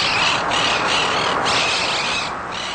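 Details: Monk parakeets, feral South American birds with colonies in Chicago's south suburbs, squawk harshly and loudly in a dense, continuous chorus with brief lulls roughly once a second.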